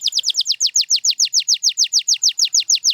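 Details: High canary song phrase from champion birds: a steady, clean series of quick downslurred notes, roughly six per second, repeated without a break.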